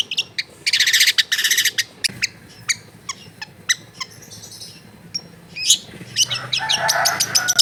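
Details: Long-tailed shrike song, recorded in a crowded residential area: rattling bursts, scattered sharp clicks and chips, and a brief high whistle. A noisy, broadband chatter comes near the end.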